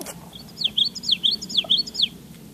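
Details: Recorded Common Yellowthroat song played at the Great Swamp on 8 July 2015: a quick rolling run of high, downslurred notes in paired phrases like 'witchety witchety witchety', over a faint low background hum.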